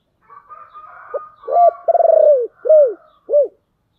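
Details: Spotted dove decoy bird in the deep 'thổ đặc' voice style, calling to lure wild doves: faint higher warbling, then a rolled trilling coo and three low arched coos, each falling at the end.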